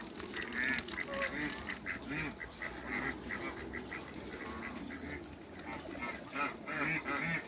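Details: Several hybrid Cayuga and female Muscovy ducks meeting one another give a dense, overlapping chatter of short raspy calls throughout. Low background noise runs underneath.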